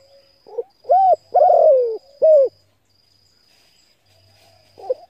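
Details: Spotted dove cooing, used to stimulate and train decoy birds: a soft introductory note, then a clear arched coo, a long buzzy coo sliding downward, and a short final coo. A faint steady high whine runs throughout.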